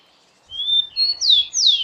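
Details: Rufous-collared sparrow (tico-tico) singing in the wild in Brazil. Its song is a short phrase: a steady high whistle, then three louder whistled notes that sweep sharply downward.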